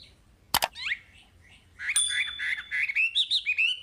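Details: Chinese hwamei in full, lively song, played to prompt untrained caged hwamei to sing. Two sharp clicks come first, then after a pause a dense run of varied, warbling, slurred whistled notes rising and falling, with a thin steady tone above.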